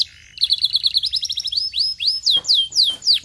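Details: Song of a canary to stimulate another canary into singing: a rapid trill turns into rising upslurred whistles, then ends with slower, loud falling slurs about two per second.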